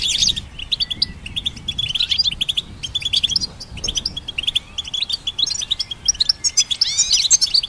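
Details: Goldfinch hybrid song for training songbirds: long stream of rapid metallic chirps and twitters, loud and bright, with occasional rising slurs and fast rattling runs.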